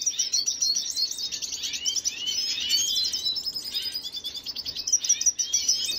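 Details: Red siskin from Venezuela recorded 25 June 2022, singing a vigorous, sustained medley of high trills, chattering chirps and short swept notes throughout.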